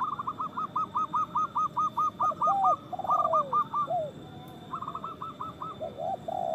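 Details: Local zebra doves with strong voices sing to stir other doves into breeding; a long fast string of clipped, evenly spaced coos, then shorter runs, with low downslurred notes between the phrases.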